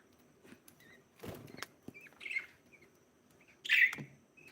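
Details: Chirping from a breeding pair of budgerigars: faint short notes, a buzzy chirp around two seconds and a louder rasping chirp near four seconds, among knocks, patter and cage rustling.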